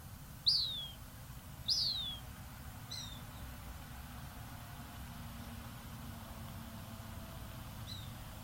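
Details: Young Cooper's hawks in Vancouver, British Columbia, give thin, high, downslurred whistled cries, four in eight seconds: two loud ones, then two fainter. A low steady rumble sits underneath.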